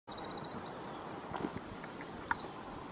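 Glowing puffleg giving a quick run of thin, very high ticking notes, then a few sharp chips, over steady background hiss.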